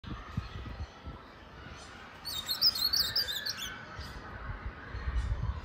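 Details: A female Colombian blue-black grosbeak singing and calling: a quick burst of high, sharp chirps lasting about a second, with a few faint call notes before and after over a low background rumble.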